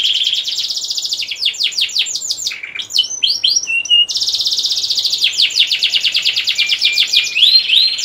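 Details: Male domestic canary in loud 'gacor ngerek' song, played to stimulate breeding in females: fast high rolling trills, a stretch of choppy swooping notes, then renewed rapid trilling ending in rising whistles.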